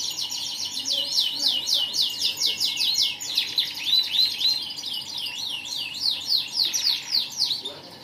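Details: AF canary in energetic, steady song: dense high trilled phrases of rising and falling sweeps repeated several times a second, shifting into looping swept notes toward the end, over a faint steady hiss.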